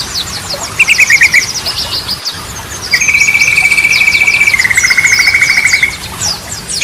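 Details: Yellow-vented bulbul song in trucukan styles such as Ropelan, played to lure stalled birds: a short rattling burst, a pause, then a long, even, rapid trill lasting about three seconds over scattered high chirps.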